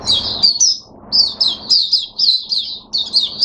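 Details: Oriental white-eye kept as a cage bird singing on 5 May 2022, a fast series of high, thin, slurred whistles falling in pitch, delivered in quick bursts separated by short pauses; a low electrical hum underneath.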